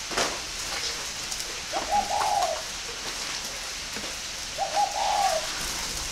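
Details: Two drawn-out, gently wavering coo phrases from a spotted dove of the northern Vietnamese style, bred at a farm in Ba Vì, Hanoi, separated by a pause of about three seconds, with light tapping noises in the background.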